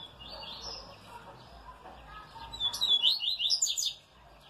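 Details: Double-collared seedeater, pardo, singing a quick burst of high, twittering notes near the end, with a man talking softly in Portuguese at the start.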